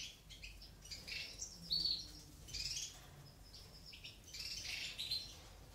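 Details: Aviary goldfinch chicks begging during feeding by their eumo-mutation mother; a busy run of high, thin chirps and hissy bursts, rising and falling in intensity throughout.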